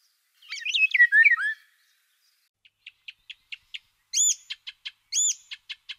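Eurasian golden oriole: a fluty, liquid phrase of rolling whistles, then a run of short ticking notes broken by two higher, harsher squeals.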